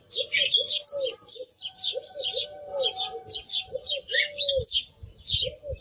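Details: Song thrush pouring out a bright, varied song of fast high notes and a long trilled phrase, with low hooting notes from another bird behind it.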